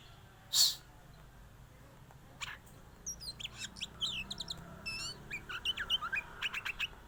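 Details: White-rumped shama singing and bobbing; after a loud sharp note and a quiet pause, a fast string of high whistled slurs, trills and clipped chips builds steadily over a faint low hum.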